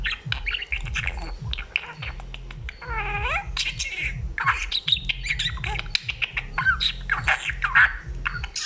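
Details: Budgerigar chattering in a rapid stream of clicks and scratchy notes, with one wavering, harmonic-rich phrase partway through, over continuous low rumbling.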